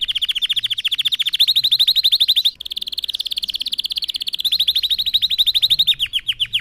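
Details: Singing red factor canary, used to teach young birds, delivers sustained rapid rolling trills of evenly repeated high notes, one short break, then a closing run of sweeping downward notes.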